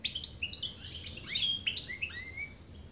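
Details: Rapid, sparkling goldfinch twitter: clipped high chirps and slurred liquid notes tumble one after another, ending in a drawn-out rising whistle. The European goldfinch is heard close and clear, with little else.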